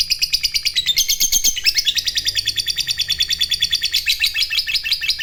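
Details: Fighter lovebird in lively condition giving long ngekek chatter, meant to provoke rival lovebirds into calling, a fast shrill rattling series of high notes repeated about three times per second without a break.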